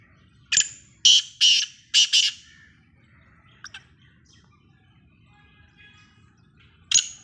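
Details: Black francolin giving loud, harsh, grating notes in a quick cluster of five, followed by faint softer chirps and a single further rasping note after a pause.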